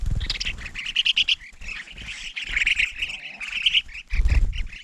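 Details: Crested finchbills gathering at food put out in winter, giving a dense stream of scratchy, chattering squawks from several birds at once, interrupted by low bumping and rustling sounds.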